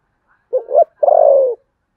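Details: Contest cooing of a spotted dove in the style called 'Sấm Thổ': a clipped double note climbing upward, a brief gap, then a drawn-out, burred coo easing down in pitch. Silence surrounds it.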